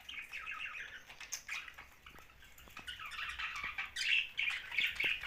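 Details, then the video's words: Young budgerigar chirping in a steady, rapid stream of scratchy, warbling chatter, busy throughout and growing louder and denser toward the end, with a few soft clicks underneath. "Young Budgie's Sound's"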